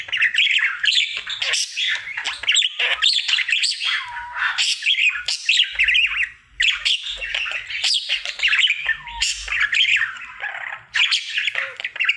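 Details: Pet budgerigar, a male singing happily in his daily routine indoors: continuous chattering warble of buzzy notes, squawks and short whistles, with brief pauses near six and eleven seconds.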